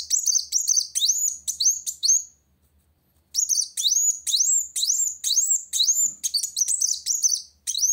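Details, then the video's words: Kolibri wulung sunbird singing energetically to challenge a rival: very high, thin chirps, each with a sharp upward-hooked whistle, delivered in quick bursts about twice a second, broken by a short pause. "Kolibri Wulung Gacor Cari Lawan"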